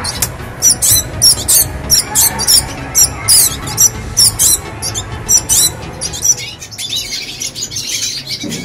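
A young red siskin sings high, scratchy twittering bursts, several per second, for about six seconds, then a hissy rustle, over a faint low background hum.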